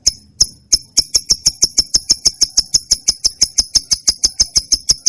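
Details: Sharp, clicking high chirps from a trained lovebird, repeated very regularly about five times per second, each note brief and piercing.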